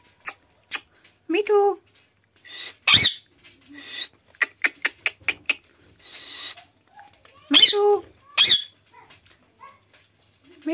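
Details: Indian village parrot on a swing making rapid clicks and taps mixed with harsh, nasal squawks in short bursts, some rising, separated by brief silences.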